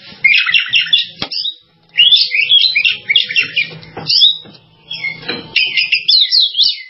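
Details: Oriental magpie-robin singing bursts of rich, varied whistled and warbled phrases, broken by short pauses, with a faint low hum behind.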